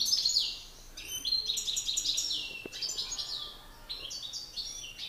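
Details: European goldfinches, two males in a singing contest, a master singer against an excited rival: rapid high twittering bursts and tinkling trills delivered in dense phrases, with short pauses between runs.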